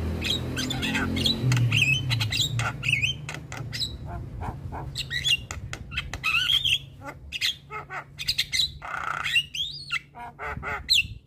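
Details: Javan myna song used to tutor young mynas of all kinds: a busy jumble of harsh squawks, clicks and short whistled notes, some rising, in rapid irregular bursts over a steady low rumbling hum.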